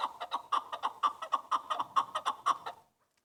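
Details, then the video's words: Chukar partridge (keklik) giving a fast series of about fifteen harsh, clucking chuk notes at roughly five per second, strong and even, stopping abruptly near the end, followed by silence. "Keklik Sesi • Chukar bird sound • Chukar bird Awaz"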